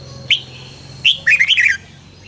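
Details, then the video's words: Red-whiskered bulbul morning training song, 'căng lửa' style: one clear sharp note, then a rapid, rolling warbled phrase of several linked rising-and-falling notes lasting under a second, with a low steady hum underneath. "luyện chào mào hót sáng 2020- Hót hay nhanh căng lửa - Cách luyện chào mào hót căng lửa"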